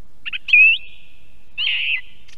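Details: Song thrush heard on an Estonian osprey nest camera: a quick stuttered lead-in, a loud rising whistle, then a longer, burry trilled phrase about a second later, each trailing in reverberation.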